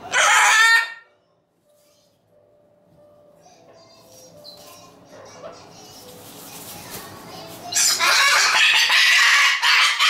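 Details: A pet umbrella cockatoo (Cacatua alba), making a fuss because it wants to play, lets out two loud, harsh, rasping screams, one short and one longer, with faint household sounds in the quiet gap between.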